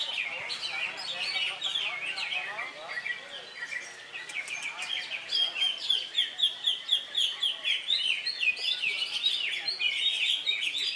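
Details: Greater green leafbird, caged, competing on Saturday 3 September at an Indonesian bird contest after molting; rapid repeated chips and whistled notes build into rhythmic pulses, with crowd noise and speech underneath.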